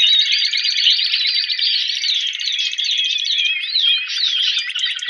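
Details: A competition Timbrado canary, rated 83 points, sings nonstop: high, rolling trills and liquid warbles run together, with brief clear whistled notes mixed in throughout.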